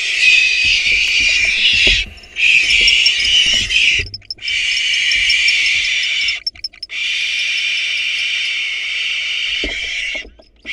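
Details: Barn owls at a nest: an intruding female attacks the nestlings and the father, back with a rat, fights and drives her out. Long harsh hissing screeches in several bursts of about two seconds, separated by short silences.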